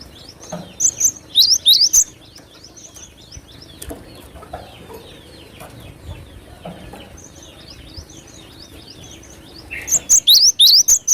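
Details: Cinereous tit (glatik batu) singing vigorously, in a recording used to lure birds: bursts of sharp, high chevron-shaped whistled notes, repeated rapidly at the start and again near the end, with faint chirps from other birds between.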